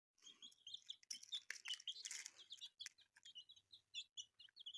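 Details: Newly hatched chicks peeping: a group of short, high cheeps overlapping rapidly, mixed with sharp knocks and rustling close by.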